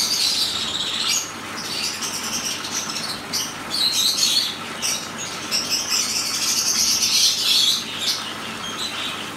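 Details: A pair of Black-headed siskins (Spinus notatus) drinking give high, thin twittering chirps almost nonstop, a few per second, over a steady hiss of background noise.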